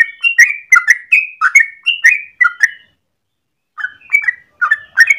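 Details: Yellow-vented bulbul singing a long morning 'ropel' song, recorded as a lure or master: a burst of about ten gurgling, slurred notes, a second-long silence, then another short run of similar notes.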